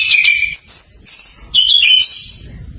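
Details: Orange-headed thrush (Geokichla citrina), a young bird learning its song, used to prompt silent birds to sing: rich, varied clear whistles and sweet high warbled phrases shifting pitch quickly over a faint low hum.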